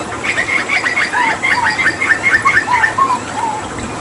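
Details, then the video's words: Papuan hooded butcherbird, a captive mimic used to tutor other songbirds, delivering tembakan: a fast string of repeated sharp, slightly downslurred chips, with lower mellow whistled slurs dropping in beneath them. "Masteran Tembakan JAGAL PAPUA gacor"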